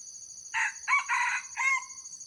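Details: Red junglefowl lure crow from an old bird, meant to call wild junglefowl in. A single rasping crow of four quick segments over about 1.2 seconds, backed by a continuous shrill insect hum.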